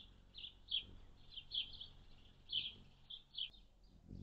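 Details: Anna's hummingbirds coming to feeders on June 7, 2022, a day with a high of 76F and a low of 51F; sharp, high chips in an irregular series, with a soft low rumble at the end.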